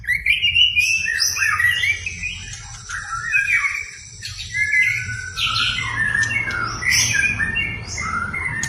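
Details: White-rumped shama singing in response to a provoking recording: varied loud whistles, chattering notes and high thin squeaks that flow in quick succession, with a short pause near the middle and a low background hum.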